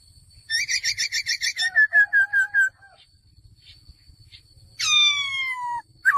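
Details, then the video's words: Male laughingthrush giving a rapid series of about ten bright whistled notes, then slower slurred whistles, a pause, and a loud sweeping whistle falling steeply in pitch, with a faint steady background hum. "#เสียงนกกระรางตัวผู้ #ສຽງນົກຖົ່ວດຳໂຕຜູ້"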